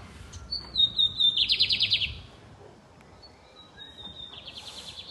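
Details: A Lined Seedeater (bigodinho) singing loud and deep: a high, clear whistle that falls in steps into a fast buzzy trill, then repeats the phrase more softly.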